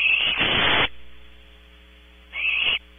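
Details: Barn owl owlets in a nest at Audubon Starr Ranch, California: one long rasping hiss of almost a second, a pause, then a shorter screech, with constant background hum.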